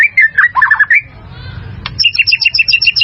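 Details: White-rumped shama song for daily training of caged birds: a quick burst of warbled whistles, a short noisy gap with a sharp click, then a rapid series of evenly spaced, repeated chirping notes.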